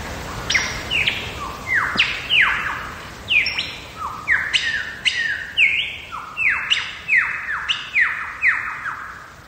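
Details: Wild lyrebird in Megalong Valley, Blue Mountains, Australia, delivering loud ringing notes that each sweep steeply downward from high to low, repeated roughly every half second or faster in an accelerating cascade, about sixteen notes in all.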